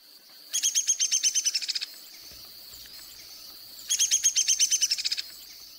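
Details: Downy Woodpecker giving its descending whinny, set against the Hairy's lower, evenly pitched rattle: two fast rattles of sharp high notes, each over a second long and falling slightly, about three seconds apart with steady hiss between.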